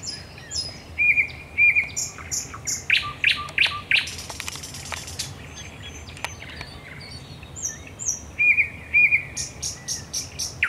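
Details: Night song of a thrush nightingale at Raszyn Ponds, 10 May 2021: paired clear whistles, clipped clicking notes and scattered sharp ticks, with pauses between phrases and whistles returning near the end.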